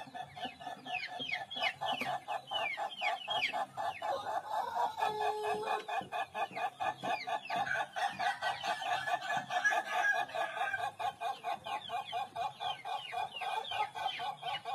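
An Ayam Ketawa rooster gives a long, rapid crow of short, falling, cackling notes that sound like laughter.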